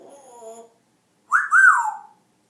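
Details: An African grey parrot making funny noises: a soft, murmured, speech-like sound, then after a pause a loud whistle that rises and falls twice before sliding down.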